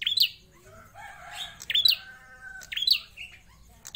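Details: Caged Prinia producing repeated sharp high chirps about once a second, with softer warbling notes from other birds between them.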